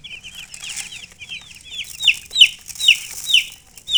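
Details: Young chickens peep rapidly, about two chirps a second; each note is a bright, high whistle sliding downward, growing louder and more spaced toward the end.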